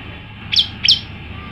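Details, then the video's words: Male olive-backed tailorbird, a kept bird later freed: two bright, high, sharply dropping notes about a third of a second apart over a low background hum. "9 variasi prenjak lumut jantan gacor"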